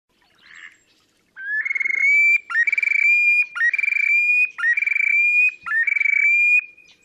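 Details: Terek sandpiper displaying at Oka Nature Reserve, Russia, 30 April 2019: after a faint soft note, five loud phrases about a second apart, each a short upslurred whistle leading into a fast rattling trill over a clear, slowly rising ringing tone.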